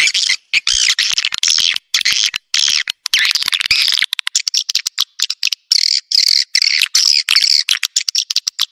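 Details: Edible-nest swiftlet lure sound to attract birds to a swiftlet building: continuous high buzzy twittering with interspersed rapid clicks, dense at first and choppier later.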